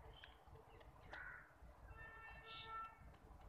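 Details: Common myna, while eating, gives a few short, harsh chattering calls and a brief whistled note over steady low rumbling background noise.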